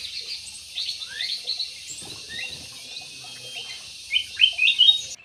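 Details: Jumbo parakeets in an aviary chirp and twitter: scattered rising squeaky notes and short warbles early on, building to a loud cluster of rapid sharp chirps near the end.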